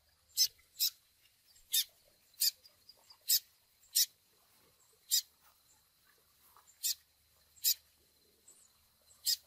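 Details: Chick begging peeps of the double-collared seedeater, used to train brown males. Sharp, high, clipped chip notes repeat at uneven intervals of about half a second to one and a half seconds over a faint background hiss.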